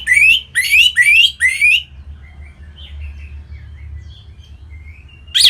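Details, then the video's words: Orange-headed thrush from Singaraja, North Bali, singing to spur other birds into song: four loud, quick rising whistled phrases, then softer warbled notes trailing off, and one sharp burst at the end. "Punglor Merah Lagi Berkicau.. Untuk Pancingan Bunyi"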